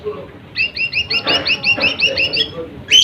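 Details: Lesser green leafbird song for provoking rival birds, a rapid even series of about ten chirped, twanging notes with faint lower chatter from other birds behind.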